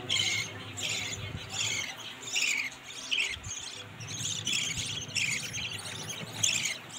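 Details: Budgerigars, a parent feeding its young, give rapid, raspy, high squawking calls in quick repeated bursts.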